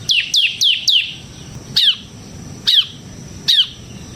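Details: Bar-winged prinia, called ciblek semi, singing as a lure for training birds: sharp downslurred chips, four quickly in a row, then three single spaced notes about a second apart.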